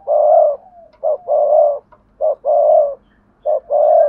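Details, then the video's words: Decoy spotted dove calling in the double-voiced hai hậu style to attract other doves. Low coos pair a brief note with a longer drawn note, repeated about once a second, with faint background hum. "cu gáy giọng đôi hay còn gọi là hai hậu gáy gọi"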